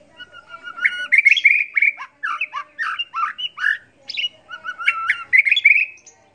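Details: White-rumped shama, a competition bird whose tutor song is crowded with learned fill-ins: about six seconds of choppy varied phrases, clipped whistles, buzzy notes and sharp chips in quick succession, clean and unaccompanied.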